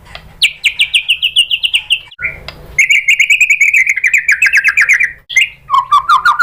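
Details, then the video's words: Lure recording of a white-rumped shama singing to provoke other birds into song: loud, varied phrases of fast rattling trills, a long descending buzzy series, brief whistled notes and a lower warbling run, abruptly joined. "bikin MURAI BATU jadi NYAUT GACOR BONGKAR MATERI TEMBAKAN ¦ PANCINGAN MURAI ¦ SHAMA BIRD"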